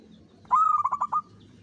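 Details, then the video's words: Single short phrase from a local zebra dove lure recording in the Mataram rhythm: a held opening coo breaking into four or five quick pulsed notes, over low background rumble. "PANCINGAN SUARA BURUNG PERKUTUT LOKAL ANTI MACET"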